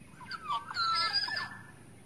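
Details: Wild forest black-naped oriole giving a lure call: one drawn-out liquid whistle that curves up and down, overlaid by a rough, nasal rasp, lasting about a second.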